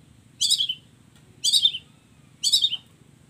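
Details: Long-tailed shrike in a combination song: three harsh, rasping high bursts, each a short stuttered phrase, spaced about one second apart over a quiet low hum.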